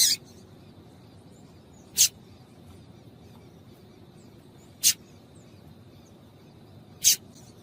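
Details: Female papa-capim (seedeater) calling, used to make males sing: sharp high chip-like notes, each a brief broadband burst, spaced irregularly two to three seconds apart over a quiet low hum.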